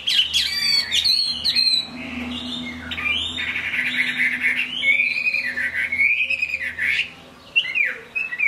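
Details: Caged Chinese hwamei singing while it rains: rich, fluty phrases with rising and falling slurs and rolling warbles, interrupted by brief pauses before a final upward whistle.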